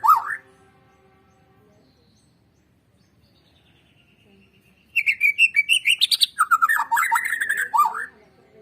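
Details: White-rumped shama singing, used to stimulate other shamas to sing. After a short opening note and a long near-silence, a quick rising series of whistles leads into a dense, downward-slurring chatter.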